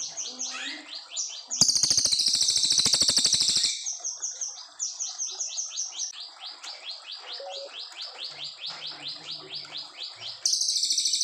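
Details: Brown fulvetta (cililin coklat) from Indonesia, a long clear song used as master recording for young white-rumped shamas: brief chirps, a dense buzzy high rattle for two seconds, then a long run of quick descending whistled notes, rattle again at end.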